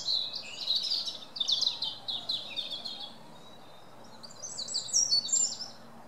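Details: Wren song: two bright, fast, high-pitched trilling phrases separated by a quiet gap, each a rapid run of sharp notes, over steady low environmental noise.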